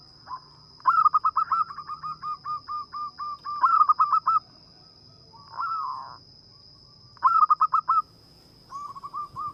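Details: Zebra dove, a local bird described as a strong, frequent singer with a small, melodious voice suited to luring birds: rapid bursts of soft, rolling coos repeated in phrases, with a steady high electronic tone throughout.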